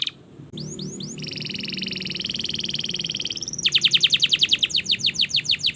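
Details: Canary master song for training: a few upswept whistles, a long buzzy sustained trill, then a rapid roll of descending whistled notes.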